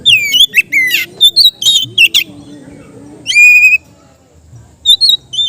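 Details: Caged Oriental magpie-robin in relaxed ngeplong song for training kept birds: rich whistled phrases of stacked, ringing notes, some long and level, others quick and bent, with a soft low murmur in between.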